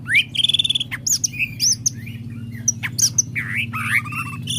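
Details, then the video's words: Greater green leafbird at a songbird practice contest, singing loud varied song: rising whistled slurs, rapid chirp trills and sharp high notes in quick succession, over a steady low mechanical hum. "gacor di bawah, diatas diem"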